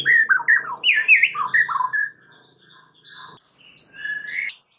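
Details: White-rumped shama singing as a lure for other shamas: loud swooping, downslurred whistles in quick succession, then quieter scratchy notes and a few high whistles.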